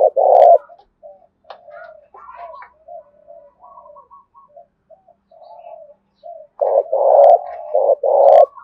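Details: Spotted dove kept as a decoy bird, loud 'Thổ Đồng' voice style of cooing: a deep mid-pitched coo opens, faint softer notes and chirps follow, then a strong run of three to four booming coos closes.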